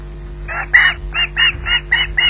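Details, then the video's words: Osprey at Loch Garten waiting for food, squawking in a regular string of harsh, high, buzzy notes about three per second. "squawks waiting for food"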